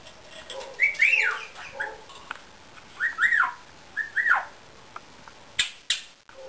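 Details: Indian ringneck parakeet whistling: clear, thin, arched whistled notes that rise then fall, given in short pairs about once a second, followed by a few sharp clicks or taps near the end.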